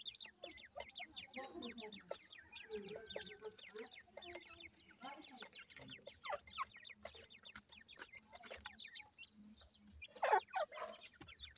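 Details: Newly hatched teetar (partridge) chicks in care during feeding time, many overlapping high, short down-slurred peeps forming a continuous chatter, with faint background hum and a brief loud knock toward the end.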